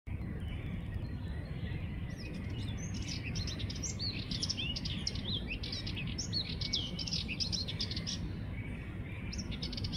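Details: Sardinian warbler singing: a rapid, scratchy, chattering jumble of high notes running for several seconds over steady low rumbling background noise.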